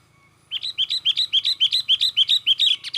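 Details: Fast, agitated sooty-headed bulbul song for luring wild bulbuls: a brisk run of some thirteen bright, repeated chattering notes delivered at an even pace of about four per second, growing louder toward the end.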